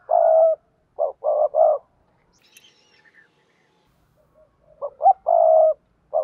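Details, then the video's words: Spotted dove giving calling coos for bird keepers: a long mellow coo, then three quick low coos in a row. After a quiet gap with a faint high chirp comes a double note and a drawn-out coo. "cu gáy thúc gù và gáy gọi cực đỉnh"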